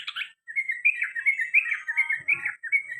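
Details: Sooty-headed bulbul with a quick run of slurred, warbling notes in the repeated ropel panjang and garuda call style, ending with a faint low rattle.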